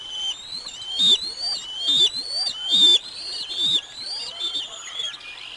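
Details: High, slightly wavering whistled calls from bald eagles at the Decorah North nest, where the female brings lunch to the eaglets on 05 06 2022, repeated in a steady run of about one per second over soft thuds.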